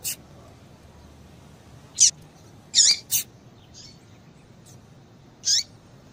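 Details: Scattered high chirps and sharp clicks from a female papa-capim (yellow-bellied seedeater), a call played to excite a male, with a gap of about two seconds before a final chirp.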